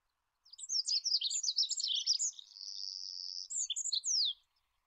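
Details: Olive-backed pipit (Anthus hodgsoni) singing: a dense, very high-pitched jumble of buzzy twittering notes running into a sustained buzzy trill for about a second, then a few quick sharp notes to finish.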